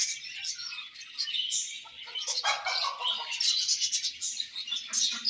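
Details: Budgerigars calling in a colony, continuous overlapping twitters and warbled chirps, a busy high chorus that swells slightly toward the end.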